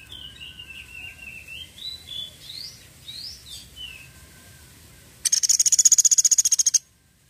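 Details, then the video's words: Woodpecker from Sampit, described as a frequent, lively caller, giving its "tembakan" burst. Faint wavering whistles come first, then a loud, shrill, rapid-fire rattle of closely packed pulses lasting about a second and a half. "SUARA TEMBAKAN PELATUK SAMPIT GACOR"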